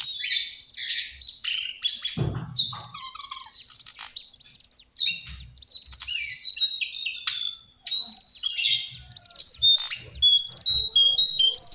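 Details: Lesser shortwing singing a long, high warbled medley for bird training. Bursts of quick whistles, trills and twitters come in runs of one to two seconds, separated by short gaps, with a faint low thump early on.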